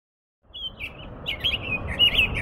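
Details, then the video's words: American robin in an impressive song: a run of quick, warbled, mid-high phrases, some with brief sharper notes, over a steady low background rumble. "impressionante canto do sabiá-norte-americano"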